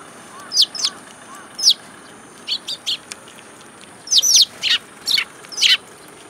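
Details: Sparrows coming to a feeding place in a plum tree at a Tenmangu shrine, 8 July 2022: bright, short chirps in scattered bursts, single and in quick pairs or triplets, about ten calls in six seconds over a steady faint hum.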